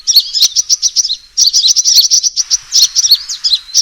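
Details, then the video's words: Lure recording of a sunbird's fighting call: quick high-pitched chips and thin trilled notes in rapid succession, one short pause, then the chattering resumes. "suara pikat burung kolibri tarung"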